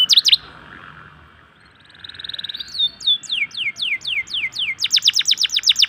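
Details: Local canary song meant to stimulate reluctant canaries. A short chirp burst and soft buzzy trill give way to evenly spaced falling whistles and a fast bright trill.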